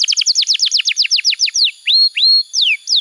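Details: Canary singing to tutor young birds: a fast series of descending whistled sweeps, then slower rising whistles and a long falling slur.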